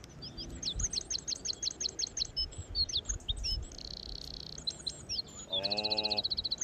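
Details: A European Goldfinch heard in February 2021 gives quick, high tinkling chirps and twitters with a brief buzzy trill, then a nasal, wheezy buzz at the end.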